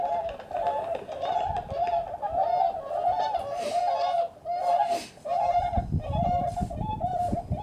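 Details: Bewick's swans, a group recorded at Beuven on 18 December 2011, giving soft, mellow honking calls that overlap almost continuously, each note slightly wavering; a few clearer notes stand out, with some low rumbling noise later.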